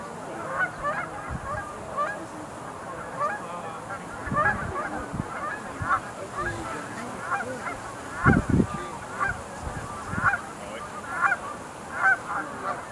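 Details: Sandhill cranes at the Montezuma National Wildlife Refuge Visitor Center pool, 20 November 2021, keep up a busy chorus of rolling, bugling calls, with individual louder calls standing out and occasional low rumbling wind bursts.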